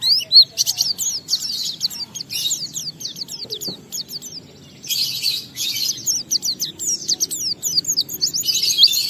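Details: Oriental white-eye delivering ngalas song to stir other white-eyes into singing: rapid high chattering bursts, separated by short gaps, with some harsh buzzy stretches.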